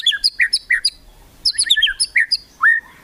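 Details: White-rumped shama giving a kretekan song to provoke rivals: quick twittering clusters of high, bright notes in two bursts, ending with a single long, clear upslurred whistle.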